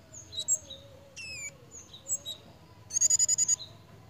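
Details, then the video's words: Pied fantail in breeding condition, calling with lively behaviour: high thin squeaky notes, slurred descending whistles and a fast stuttering burst of repeated chips near the end. "BURUNG KEMADE / CIGEN SEDANG BIRAHI,LUCU JUGA TINGKAH DAN BUNYINYA"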